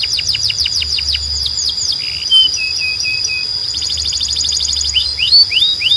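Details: Singing Belgian canary, said to summon other canaries to sing: quick falling sweeps, a short series of buzzy lower notes, a fast staccato trill, then upward-slurred whistles, all over a constant high tone.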